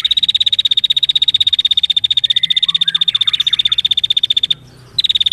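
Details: Female prinia (prenjak), lively and vocal, delivering a dense, rapid call: a long run of sharp, high, evenly spaced ticking notes at roughly fifteen per second, broken by one brief pause near the end before resuming.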